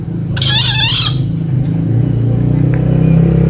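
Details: Four-month-old green junglefowl giving a single hoarse, wavering crow of under a second, with a steady low hum behind it.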